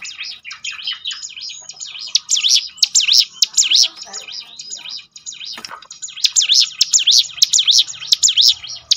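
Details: A prinia repeats high zigzag whistled phrases to draw birds into singing more often. Bursts of rapid up-and-down notes are split by a quieter middle stretch of softer twittering and faint background noise.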